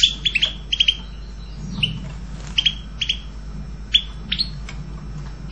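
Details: European goldfinch repeating crisp, high, clipped chirps, often doubled or tripled, at irregular intervals against a soft low background rumble.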